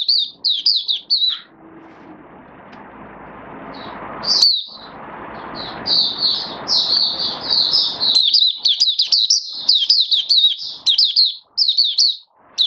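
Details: Caged oriental white-eye kept as a hobby songbird, recorded 19 September 2022 while building up singing form: rapid high twittering phrases of short, sweet downslurred notes, a pause with background hiss, then a long run of bright chattering notes.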